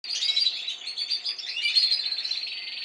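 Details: A Belgian canary, described by its owner as a Spanish Timbrado from last season, sings a continuous, high, metallic warble of rapid trills and chips without pause, with no other sounds in the background.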